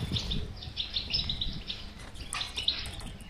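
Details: Goldfinch song of the batbata style, played to encourage a silent goldfinch to sing: quick tinkling twitters, then a denser burst of buzzy, chattering notes near the end, over a low rumbling background.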